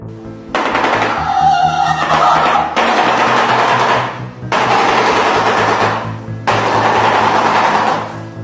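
A shoebill clatters its bill in long, rapid, machine-gun-like bursts, each lasting about two seconds, with music playing underneath.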